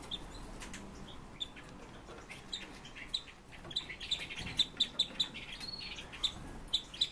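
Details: Kept red-billed leiothrixes, pet birds at home, giving short bright high chirps, single and in quick runs, a few clustered near the end, over a steady low indoor hum.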